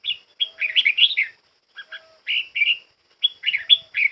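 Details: Song practice by a red-whiskered bulbul almost through its moult: rapid liquid warbling phrases of quick up-and-down whistled notes in three bursts, with a faint steady high tone in the background.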